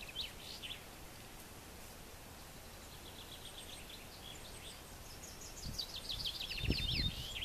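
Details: Ortolan bunting in Västmanland, Sweden, singing faint phrases of short, clear, ringing notes repeated in quick series against a steady hiss, with a few low thumps near the end.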